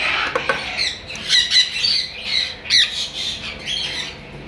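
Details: A breeding pair of sun conures gives harsh, rasping squawks in bursts about every half second, mixed with a few sharper shrill notes.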